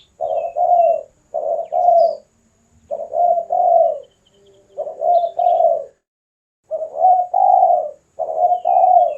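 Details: Spotted dove in full song, used for luring birds and for song training: low, mellow coos in two-part phrases, each phrase about a second long, repeated roughly every one to two seconds with short gaps and faint high chirps behind.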